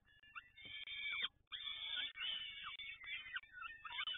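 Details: Peregrine falcon at Toruń uttering repeated rasping, harmonic wails of uneven length, broken by brief pauses and ending in shorter clipped notes.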